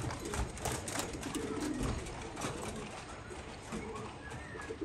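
Homing pigeons cooing in low, soft, throaty murmurs that overlap in a steady busy chatter, with broadband rustling and clatter from the loft.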